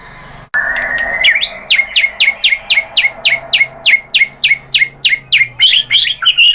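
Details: Lure song of a White-rumped shama, used to trigger singing in other birds: about fifteen sharp, down-slurred notes repeated evenly, closing in a jumble of mixed notes.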